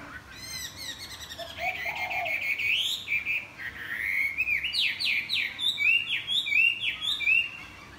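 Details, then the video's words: A Chinese hwamei flapping its wings in the morning sings a rich, rapid run of loud varied whistles and slurred notes, rising and falling, with quick repeated phrases toward the end. "Hoạ mi đập cánh chào buổi sáng"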